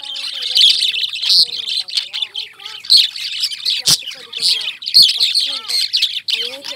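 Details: Lovebirds in continuous shrill chirping, a busy layer of high squeaky notes overlapping one another, broken by a few sharp clicks and softer lower rising whistles beneath.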